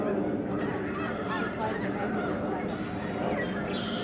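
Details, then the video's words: Lesser snow geese in huge flocks flying and swirling down from the sky at a Fraser River estuary bird sanctuary in Delta, British Columbia, Canada, March 24, 2011; a dense, continuous chorus of overlapping honks with no pause. "Snow geese flying and honking"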